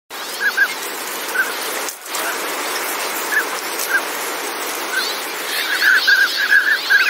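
Northern pintail giving short, soft whistled pips, often doubled, spaced irregularly and quickening near the end, over a steady rain-like hiss.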